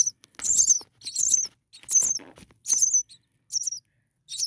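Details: Four-day-old common starling nestlings, six in one nest on a cooler night, make piercing high wavering squeaks in regular bursts about once a second, with faint shuffling noises between.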